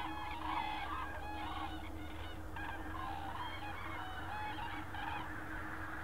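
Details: A flock of common cranes calling near Berlin, Germany, on 24 October 2015. Many birds give layered, harmonic trumpeting notes almost continuously, overlapping one another, above a constant low rumble.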